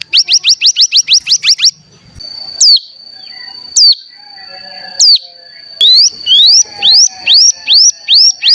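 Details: Cigun (mountain ciblek) decoy song used to stir other birds into singing: rapid series of rising whistled notes, a long steady high tone broken by sharp downslurred notes, then a string of upswept whistles repeated about twice a second.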